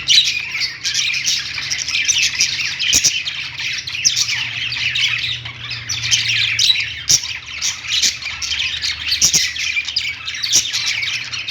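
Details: A group of budgies in a pet store chatters continuously from a perch: shrill, tumbling chirps and warbles overlap, broken by a few sharp clicks, with a low steady hum in the room.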